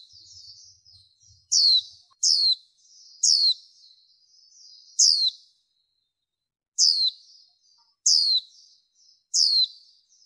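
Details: Female warbling white-eye, recorded in 2023 with background noise reduced, used as a lure to excite males: sharp, high, downward-slurred chirps, seven in ten seconds, irregularly spaced, with soft thin twittering between them.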